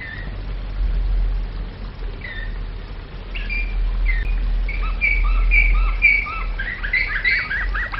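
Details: Domestic canary performing flawta, flute-style song: a few soft notes at first, then livelier whistled phrases with short rising and falling notes growing louder toward the end, over low background rumble.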